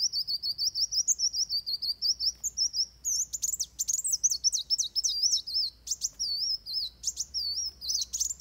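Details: High, shrill fighting song of Van Hasselt's sunbird, for training birds, made of rapid wavering whistles and looping squeaky notes strung almost nonstop, with sharp chips and fast trilled stretches throughout.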